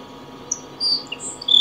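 Grassland Sparrow song: a few very high, thin, insect-like notes and a brief buzzy trill, ending in a sharp high buzz, over a faint steady hum.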